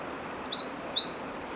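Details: Sooty race Fox Sparrow in Washington State, Pacific Northwest, in spring 2018, giving two thin, high, slightly rising call notes about half a second apart over a quiet background hiss.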